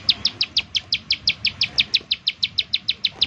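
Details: Bar-winged prinia giving loud, clear chip notes in quick succession, about five per second, in 'nembak' style used as a lure to make other prinias sing; little background noise.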